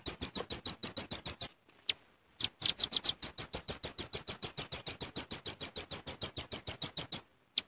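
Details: Velvet-fronted nuthatch lure call from a genuine recording: fast, regular, high-pitched chipping, a short pause with a lone note, then a long, steady run of the same sharp chips.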